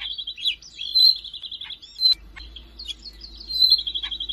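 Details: Siberian rubythroat, recorded in Jakarta on 5 March 2025 and used to teach other songbirds: long runs of rapid, evenly repeated high notes, broken by a few sharp clicks and short whistled slurs. A low background hum is present.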